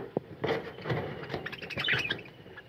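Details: Budgerigars kept as a flock in a colony aviary, chattering continuously. The clip is a dense mix of short squawks, chirps and warbling notes, with a few sharp clicks near the start.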